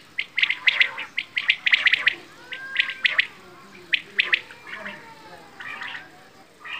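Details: Quail, known locally as bedana or batair, giving clusters of short sharp chirping notes in quick bursts, some tight and clicking, with a few faint gliding whistles between the groups.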